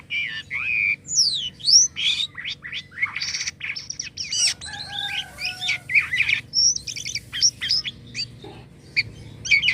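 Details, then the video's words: Jalak kapas starling singing actively with unusual sounds: a dense, varied medley of whistled sweeps, sharp rising and falling notes and buzzy phrases in quick succession, over a faint low hum. "jalak kapas gacor corr suara aneh"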